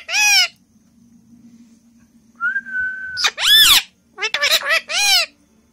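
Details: Indian ringneck parrot whistling and talking: a short squawky syllable, then a level, pure whistle held for about a second, followed by several raspy, speech-like bursts over a faint low hum.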